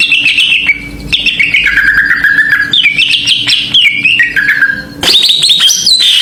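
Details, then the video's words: Greater green leafbird song played as a lure to provoke other birds: varied, rich whistled warbling phrases sliding between mid and high pitch, then a louder, brighter burst near the end, over a steady low electrical hum. "PANCINGAN CUCAK IJO ‼️ AWAS NGAMUK BIAR GA BISUU"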